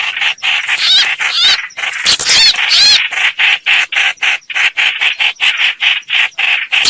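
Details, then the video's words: Trapping lure of a streak-eared bulbul: warbled looping whistles early on, then a long even series of short rasping notes, about three a second. "Tiếng chim hoành hoạch mồi chuẩn"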